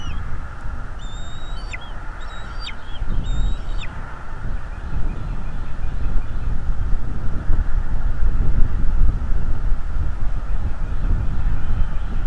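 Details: Bald eagle at a nest in North East Florida, filmed by a live nest camera; three short, high, squealing notes close together in the first four seconds, each with a sharp drop at its end, over a steady heavy low rumble.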